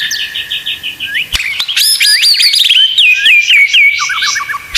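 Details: Murai batu, the white-rumped shama, in a 'full isian tembakan' masteran recording. A short run of repeated chirps leads into a burst of sharp high whistled phrases, then a fast falling trill at the end.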